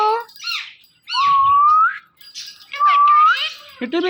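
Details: Indian ringneck parakeet kept as a talking pet, mixing short chatter with two drawn-out rising whistles and a final burst of scratchy syllables.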